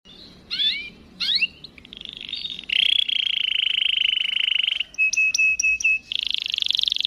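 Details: Canary in lively, long-running song with 'cuit cuit' chirps: two quick upward-sweeping chirps open, then a brief buzzy note, a rapid rolling trill held about two seconds, a burst of sharp staccato pips, and another fast trill.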